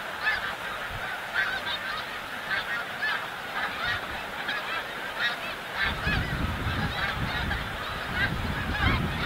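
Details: Snow geese passing through Montmagny, the capital of the Snow Goose, on migration: a crowded chorus of honks and yelps, joined after about six seconds by a steady low rumble like wind.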